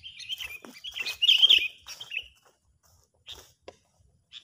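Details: Sooty-headed bulbul used as a bird-trapping lure, agitated: continuous scratchy chattering with a loud squealing peak after one second, fading into a few isolated clicks.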